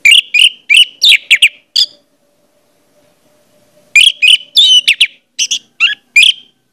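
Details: Orange-headed thrush song played as a lure to get other thrushes singing: loud bursts of rich, rapid, sharp notes in two groups, separated by a two-second pause.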